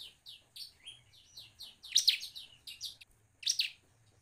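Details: Bar-winged prinia, recorded as a lure for other singing birds; a run of soft evenly spaced slurred chirps builds into two loud rapid bursts of shrill notes, faint low hum beneath.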